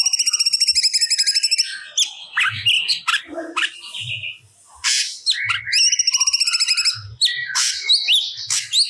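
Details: Actively singing grey-cheeked bulbul delivering stored song material: quick trilled runs alternate with scratchy, squawking phrases and sharp chips, with the trill returning twice.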